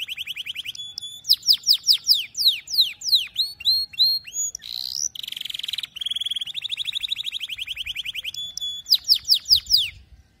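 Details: Tutoring song for young canaries from a singing canary: fast repeated chirps and upward-sweeping whistles, a brief buzzy burst, then steady rolling trills and quick chirp series.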